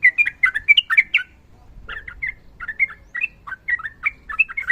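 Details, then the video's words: Sooty-headed bulbul, female calling male, fighting: fast bubbly chatter for about a second, a short gap, then spaced warbled notes resuming at a slower, steady pace. "TRUCUKAN GACOR NARUNG ROPEL PANJANG"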